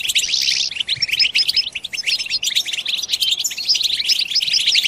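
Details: Batbata chorus of European goldfinches used to stimulate song: an opening buzzy burst, then fast, sparkling twitters and chirps layered from many birds without a break.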